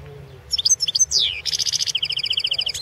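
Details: Balkan goldfinch, Carduelis carduelis balcanica, in a 2016 world championship song competition entry: quick high twittering notes, a falling slurred whistle, a dense buzzy burst, then a long even run of rapid repeated chips.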